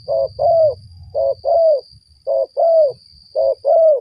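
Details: Spotted dove heard while being lured for trapping, cooing in four even pairs: a brief level note followed by a fuller, gently falling coo, each pair a second apart, with low rumble fading midway and a thin high whine.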